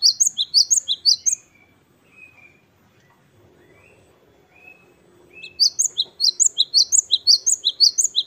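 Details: Wingko gelatik batu, or great tit Parus major, in lively 'wucit-wucit kristal' song: a run of high paired notes, a lull with soft drawn-out whistles, then a long steady series of ringing two-part phrases.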